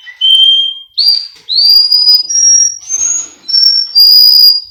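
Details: Male Russian canary from a Miami, Florida breeder, recorded for song training: clear whistled notes held about half a second each, stepping from a low tone up through higher steady pitches, with brief gaps between phrases.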